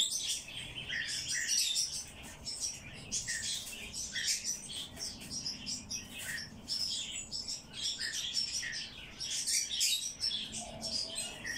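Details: Bird chick being hand-fed in captivity, begging: dense, high, rapid chirps and squeaky cheeps pouring out continuously, pulsing in short bursts throughout, with faint low room noise beneath.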